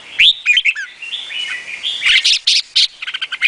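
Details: Vietnamese red-whiskered bulbul song: a clear rising whistle, then quick liquid phrases and a fast series of loud, short, bubbling notes in close succession, all high and bright.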